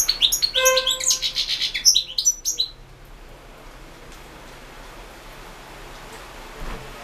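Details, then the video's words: Goldfinch singing in a 2016 internet world championship for goldfinch song: about two and a half seconds of dense, buzzy, tinkling twitters and high chirps, then near silence with faint background hum. "World championship in Goldfinch Song"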